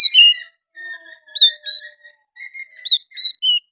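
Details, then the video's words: Energetic oriental magpie-robin song including sooty-headed bulbul phrases: clear, pure whistled notes, some held and some sharply inflected, delivered in short, irregular bursts separated by small gaps. "KICAUAN KACER GACOR MBESET ISIAN KUTILANG"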